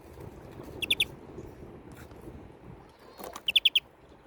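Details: European greenfinch giving short bright chirps in two quick bursts, three notes then four, evenly spaced, over a low background hum with a few faint clicks.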